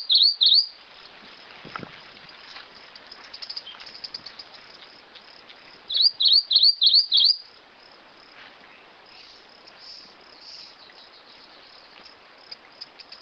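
Rufous-crowned Greenlet song: a quick burst of five high, clipped notes, about four a second, after a shorter opening phrase, over a steady insect hiss.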